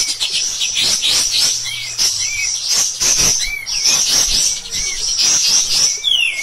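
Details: Pied triller on a master recording for songbirds, in an insistent, rough shooting song: dense high chatter with repeated short arched whistles and a final long descending slur.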